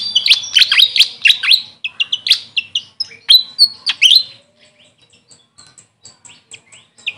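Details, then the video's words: Grey fantail, known locally as Maria Capra, gives about four seconds of loud rapid squeaky chirps and slurred notes, then fades to scattered faint high peeps. "Grey Fantail bird call||huni ng Maria Capra kung sa amin tawagin"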